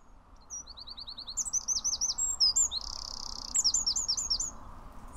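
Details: Wren song, one loop, very loud for such a tiny bird: a fast series of high piping notes builds into repeated sharp trilled phrases, with a buzzy sustained rattle in the middle, over a steady low background rumble.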